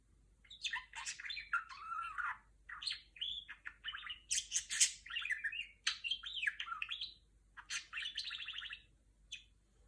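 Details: Female budgerigar kept as a pet, talking and imitating R2-D2 electronic sounds: rapid warbled chatter with sweeping whistles, buzzy bursts and short rising and falling beeps, nearly continuous over ten seconds in a quiet room.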